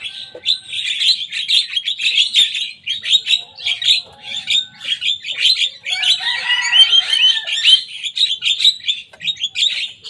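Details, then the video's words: Young Javan myna in vigorous song, copying the songs of rival birds: ten seconds of continuous rasping chatter and squeaks, with a brief warbled passage in the middle. "Jalak kebo muda gacor bongkar suara lawan."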